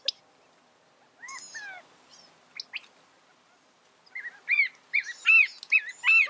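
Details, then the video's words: California quail, a small ground-dwelling New World quail, heard in scattered chirps at first, then a burst of clear arched, harmonic notes repeated in quick groups near the end, on an otherwise quiet background. "California Quail | کیلیفورنیا بٹیر | Qauil Sounds"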